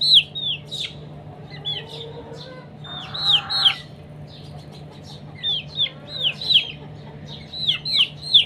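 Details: Chickens fighting at morning time: clusters of thin, high, falling peeps, some doubled, with a brief buzzy murmur in the middle and a constant faint low hum.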